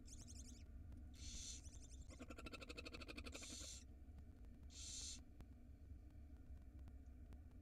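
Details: Hissing screeches from barn owl nestlings at feeding time in an Israeli nest box, spring 2022: loud broadband rasping bursts of about half a second, interleaved with fast ticking rattles, over a constant low background hum.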